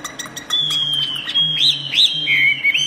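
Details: Chinese hwamei, a tame bird, sings toward a mirror for lack of a rival: a long, high, clear whistle slowly falling, broken by looping upward slurs, over a faint low drone.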